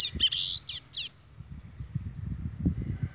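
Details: Agitated double-collared seedeater giving a brief, loud burst of high buzzy, warbled notes for about a second, followed by low rumbling and knocking noise.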